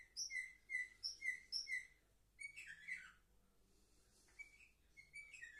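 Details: Young canaries aged seven months, recorded 10 November 2023, open with five evenly spaced clear whistled notes, then a quieter mix of chirps, trills and short rising whistles.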